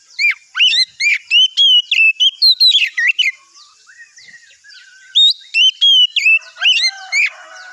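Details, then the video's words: Morning song of an Oriental magpie-robin, played to make other magpie-robins answer: a fast string of sweet whistled notes and quick downslurs, then a softer quiet stretch before loud ringing whistles resume, with a faint second singer in the background. "pancingan suara kacer di pagi hari"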